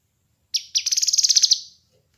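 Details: Trilled song of a kinoi bird, recorded to train and lure birds: two sharp opening notes followed by a fast high rattle of roughly twelve evenly spaced pulses fading away, with a faint low hum underneath.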